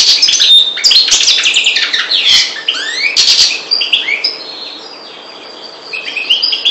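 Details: Maghreb goldfinch, subspecies parva, giving a rapid tumbling twitter of sharp chirps and slurred rising notes, about three per second. The twitter is dense at first, then thins to softer scattered phrases.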